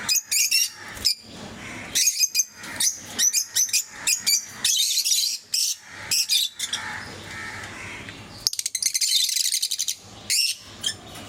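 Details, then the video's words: Several pet lovebirds in various mutations chattering with shrill squeaks and chirps in irregular bursts, ending in a dense buzzy trill of high notes, with a low hum underneath. "Sounds of love birds"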